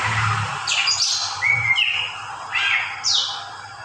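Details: Greater green leafbird (cak ijo) singing a quick, varied phrase: high descending slurs, a flat clear whistle, then rising and falling chirps in rapid succession over a constant low hum and hiss.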